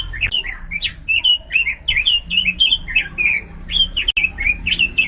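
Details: Singing robin, a hobbyist's songbird, pouring out a continuous chain of rapid, twisting whistled notes at a high pitch, about two to three notes per second, over a faint low hum and a brief click.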